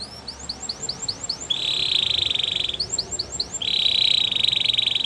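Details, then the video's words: Gloster canary training song: short series of rising chirps alternate with steady, buzzy rolling trills, each roll lasting about a second, over a constant background hiss. "Gloster Canary Training | Canary Bird Sounds"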